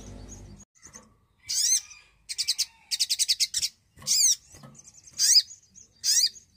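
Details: Javan cochoa, active song meant as a lure for untrained or silent birds: harsh descending chirps alternating with quick buzzy rattles of about six pulses, and a thin high whistle near the end.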